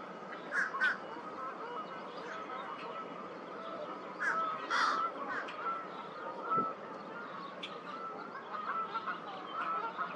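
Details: American crow at Twin Lakes on April 8, 2023, after many unsuccessful tries to sound like fish crows; a few harsh, scattered caws in short bursts over a faint steady high tone and soft background noise.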